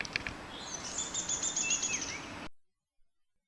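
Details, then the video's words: A Downy Woodpecker, recorded on March 1st, gives its territorial whinny: a fast run of high, sharp notes that slows and drops in pitch at the end, with faint clicks before it. "And then, a territorial call like a whinny, which happens to be a downy woodpecker."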